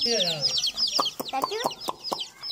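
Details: Baby chicks playing: a busy chorus of high, thin peeping notes, some falling and some rising, overlapping with lower clucking and rapid short chirps repeated about every quarter second.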